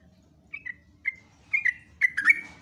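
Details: Sooty-headed bulbul (trucuk) giving brief slurred whistles, each falling in pitch, spaced irregularly and becoming quicker and more clustered toward the end.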